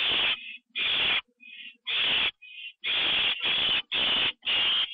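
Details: Owl at its nest after prey delivery, a bird eaten inside, night of 9 October 2011; a rapid run of rough hissing screeches with short wheezy fragments between the early bursts.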